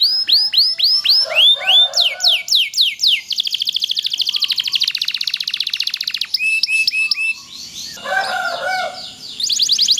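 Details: Loper canary singing long and continuously, used as a tutor recording to prompt other canaries to sing: rapid rising sweeps, then a fast buzzy roll of evenly repeated notes lasting about three seconds, followed by chirped phrases and high trills.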